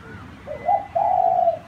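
A zebra dove gives a short rising coo, then a longer, slightly wavering purring coo at a soft mid pitch, with faint background hiss.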